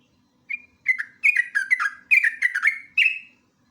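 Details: Ngeropel song of a sooty-headed bulbul (jogjog or trucuk), used as lure and master recording: a brief opening note, then a dense run of warbling, downslurred whistles ending in a drawn-out note.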